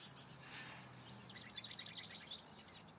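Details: Calandria in song: a brief rapid string of high, bright chirped notes tumbling one after another, with a low hum underneath.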